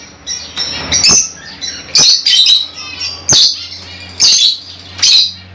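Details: Small African lovebirds kept as pets, uttering loud piercing squawks roughly once a second, each a short harsh burst, with quieter chatter and a steady low hum between.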